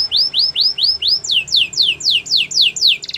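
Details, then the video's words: Canary training song: rising whistled notes repeated about three per second, changing to steeper falling slurs, with a faint hiss beneath. "The most popular canary training!! Your belgian canary will sing a lot"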